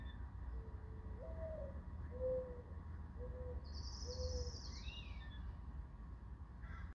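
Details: Sunrise over Belmont Shore: a series of soft, low, level cooing notes, four short hoots spaced about a second apart, followed by a higher thin descending call from another bird, over steady low traffic-like rumble.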